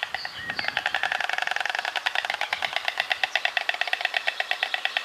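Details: White storks greet each other on the nest after their eggs hatch, clattering their bills in a fast, hollow wooden rattle of about ten dry knocks a second, sustained for several seconds with slight swells in loudness.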